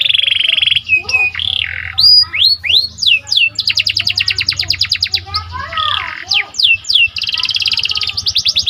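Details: Symmetrical panda canary singing constantly, played to stir other canaries. A buzzy trill opens, then swooping whistled notes, a long fast rattle and more arched slurs follow, with a faint low hum beneath.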